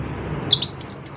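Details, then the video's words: Scarlet minivet, known locally as mantenan, singing in 'gacor' style: a quick run of about five high, thin whistles, each sweeping upward, delivered in just over a second over faint low background hum. "burung mantenan gacor"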